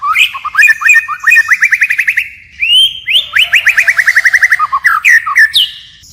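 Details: White-rumped shama in full forest-style song with constant variation: whistled phrases broken by quick repeated rattling trills of evenly spaced notes, then rich slurred whistles rising and falling.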